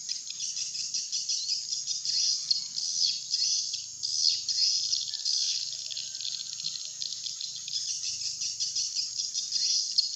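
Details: Swiftlets, lure call used to attract flocks to a swiftlet house: a dense, continuous wash of high, fast twittering chirps, steady in loudness, with a faint low hum beneath.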